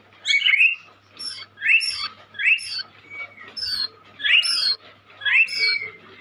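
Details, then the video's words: Young white-rumped shama gives short, bright, rising-and-falling whistled phrases roughly once a second, with thin high squeaky notes between them and a faint low hum behind. "Burung Murai muda gacor calon juara"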